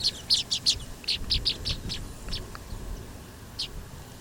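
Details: Baya weavers in Kerala, India chatter in quick, high chit notes, several per second in uneven bursts, fading after two seconds with a later lone chirp.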